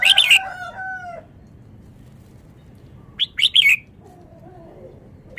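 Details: Fast-singing red-whiskered bulbul from Vietnam: a bright warbled burst with trailing falling tones, a pause, then a second short rapid phrase, followed by soft low wavering notes.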